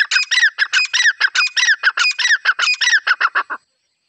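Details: Grey francolin hen calling for hunting, a steady series of rough, squawky notes at an even rapid rhythm, about four per second, ending abruptly.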